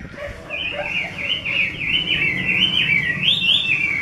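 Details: A caged Chinese hwamei delivering a rapid chain of sweet whistled notes, each a quick up-down swoop, repeated several times a second with rising intensity.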